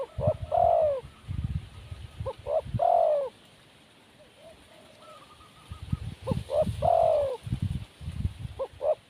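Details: Spotted dove in the wild, described as shy, repeating hooting coos that each close with a longer downward note; a quiet pause falls midway, with muffled low rumbles throughout.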